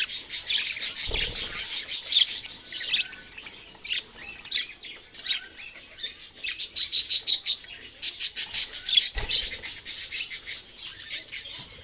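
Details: Many budgerigars chirp and warble continuously in a high, scratchy chorus. Two low thumps come at about one and nine seconds, and rhythmic bursts of chirping follow toward the end.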